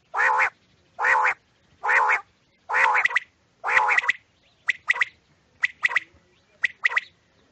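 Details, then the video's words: Quail calling at night, used as a hunting lure, with five harsh, buzzy notes about a second apart, then shorter clipped double notes at the same pace; no other sounds. "rat k liye betreen bulara | Quails sounds"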